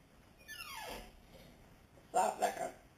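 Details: A blue-and-yellow macaw talking before bedtime gives a long whistle sliding down from high to low, then two short, harsh, word-like syllables in a quick burst.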